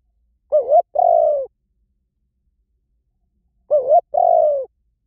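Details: Spotted dove decoy call heard twice, about three seconds apart: a quick fluttering low note and then a sustained, gently falling coo, with silence between the phrases.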